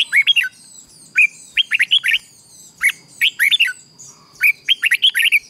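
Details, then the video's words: Morning singing of red-whiskered bulbul, played to encourage newly trapped birds to sing in contests: quick clusters of three to five lively, slurred notes, each cluster about a second apart, over a quiet background. "luyện giọng chào mào hót sáng kích bổi hót đấu căng lửa"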